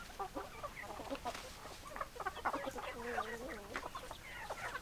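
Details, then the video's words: Clucking chickens, many short overlapping clucks with one drawn-out, wavering purr-like call in the middle, over soft background hiss. "Chicken Sounds Noises Hens Clucking Roosters Crowing"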